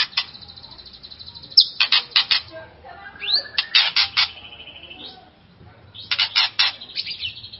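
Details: White-rumped shama singing to provoke a rival shama: long thin high whistles broken by rapid harsh rattling bursts, a rising slur, then more rattles and a sustained high note, with gaps of near-quiet.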